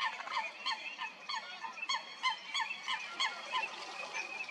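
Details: Fighting coots at Stodmarsh in Kent, UK, give a dense stream of short, clipped, honking notes, about three a second, overlapping and urgent.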